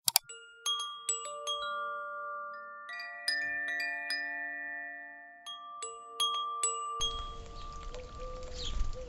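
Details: Chiming mallet-percussion melody of bright, ringing notes with long sustained tones, ending in a burst of broad hiss and low rumbling noise.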